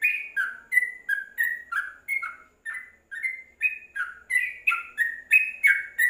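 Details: Caged yellow-vented bulbul inside a cage cover gives a lively series of short, slurred whistles, alternating higher and lower notes, with brief pauses between bursts.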